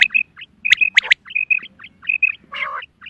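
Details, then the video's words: Female quail call for hunting: clipped high whistled notes in quick pairs, sharp clicks, and a short harsh rasp near the end. "Batair ki awaz Quail sounds Садои бедона мода bedana ovozi بٹیروں کی سپیشل شکاری آواز"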